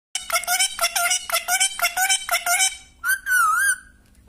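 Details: Talking parrot repeating a short phrase about five times in a quick rhythm of harmonic-rich syllables, then a longer wavering whistled note.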